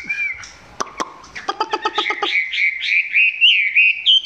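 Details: Chinese hwamei filmed close by, song still below full strength; a run of rapid sharp clicks gives way to a rich warbled string of whistled phrases that wander up and down.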